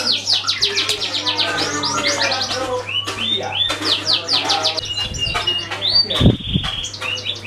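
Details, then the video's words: Canary song used as a lure to get other birds singing: fast rolling trills of high, downward-sweeping notes, broken by buzzy runs and clear whistles, with a steady low hum and a brief knock underneath. "Suara kenari buat pancingan burung lain"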